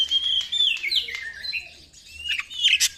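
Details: Oriental magpie-robin lure song, used to stir birds lacking drive and to call wild birds, with sweet whistled notes falling from high to mid pitch, then a pause and a burst of sharp, varied phrases.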